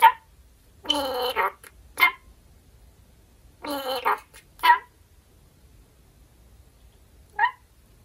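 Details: A pet red-collared lorikeet, told it will get a treat later, chatters playfully to restrain itself, apparently saying "want to eat grapes": two longer speech-like phrases and three short nasal squawks, with quiet room hum behind.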